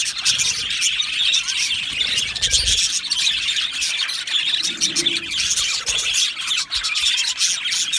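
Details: Recorded 12 July 2025 in an Australian budgie aviary: a flock chirps and warbles together in dense high chatter, with scratchy squawks and a few soft low thumps in the background.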